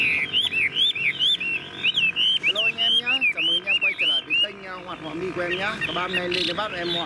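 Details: Tame caged Chinese hwamei singing nonstop, praised as singing like a machine: rapid loud whistled notes rising and falling, many short slurred phrases in quick succession, with a man's voice talking underneath partway through.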